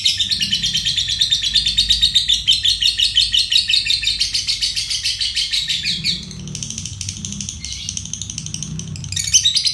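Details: Fighter lovebird delivering a ngekek konslet song, used as a lure and tutor for other songbirds: a long, fast chattering trill of sharp high notes for about six seconds, a brief lull, then the trill resumes, over a low hum.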